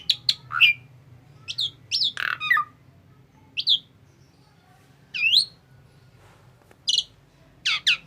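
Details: Calls from a tame Asian pied starling: scattered short squawks and slurred whistled notes, some swooping downward, spaced irregularly with gaps of a second or more. A low steady hum sits underneath.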